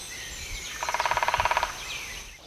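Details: Lesser Spotted Woodpecker in Oldenburger Land, northwest Lower Saxony, Germany, giving its high, fast 'ki-ki-ki' call series: a quick run of about fourteen even, piping notes in under a second, over soft woodland background noise.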